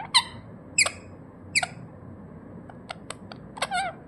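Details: Natural calls of a pet ringneck parrot indoors: rasping, harmonic squawks roughly every second, then quick clicks and a wavering chatter.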